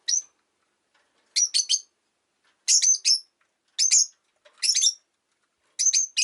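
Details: Rosy-faced lovebird, a pet, calling in short clusters of two to three harsh, high chirps roughly every second, scratchy and piercing, with quiet gaps between.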